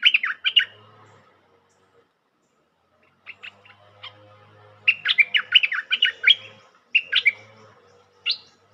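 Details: Bulbul calling as a trapping lure: lively bursts of rapid chirping and warbled notes with a pause between them. A faint low hum and soft background rustle are also audible.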